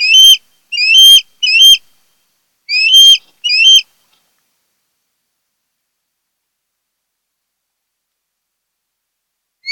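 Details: Osprey from a mated pair nesting on Kent Island, Maryland, recorded by a nest camera on 08-10-2018: five loud, high whistled chirps with rising tails in the first four seconds, then silence.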